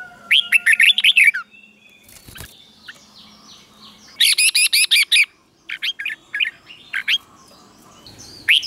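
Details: Song of a Red-whiskered bulbul in the Thai double style, played for caged birds to learn: a fast warbled whistled phrase, then a string of bright repeated notes and scattered short whistles.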